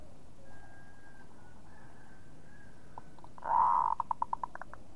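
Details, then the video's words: Zebra dove of the local perkutut type, singing actively in the kerot style: after a near-silent stretch with faint tonal hum, a rough rolling purr is followed by about seven short, evenly spaced cooing notes. "Perkutut Lokal Gacor ][suara kerot perkutut lokal"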